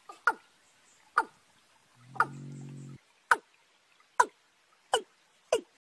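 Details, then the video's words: Watercock: a young bird paired with a wild one, in March, giving sharp, hollow, falling 'kok' notes about once a second, with a brief low hum under the third note. "cúm núm gà tơ kẹp với cúm núm gà đồng"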